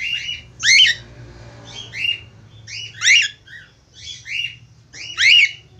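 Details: Budgerigar calling for a female, giving groups of bright chirpy notes roughly every second, each burst made of quick rising and falling whistles. A soft low hum continues throughout.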